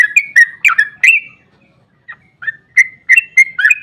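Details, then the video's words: Sooty-headed bulbul giving an emotive lure song meant to set off other bulbuls: a burst of four or five bubbly, slurred whistles, a short silence, then several more clear notes. "Trucukan GACOR ROPEL PANJANG EMOSI buat pancingan trucuk agar cepat bunyi JADIKAN burung NYAUT giras"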